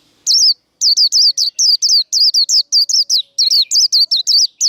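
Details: Japanese white-eye in the 'líu đấu' fighting chatter meant to stir rival birds: an unbroken stream of roughly twenty rapid, high, slurred chirps, each dipping in pitch, delivered almost without pause in a clean recording.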